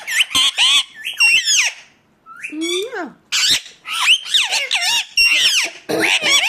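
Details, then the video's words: Indian ringneck parakeet squawking in fast harsh bursts with swooping screeches, a short quiet gap near the middle, then more loud chattering calls. "ringneck 🦜 natural sound"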